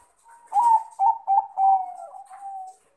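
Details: A male zebra dove, a crossbred Bangkok perkutut, calls a rival with one lively phrase: a few quick, punchy coo notes run into a long, gently falling, purring trill.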